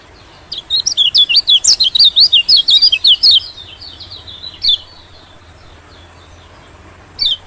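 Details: White-eye call used to attract small birds: an evenly paced series of sharp, high, squeaky notes for about three seconds, followed by quiet and two isolated single chirps.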